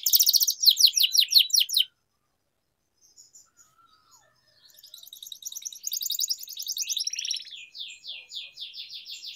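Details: Canary song played to train young canaries and restart silent ones: a loud burst of rapid descending notes, a near-silent pause, then a softer buzzy trill turning into steady repeated sweeps.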